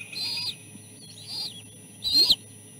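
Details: Chicks begging for fish at the nest as the oldest fights off its siblings; three high whistled notes, the last loudest, with a quieter wavering note between.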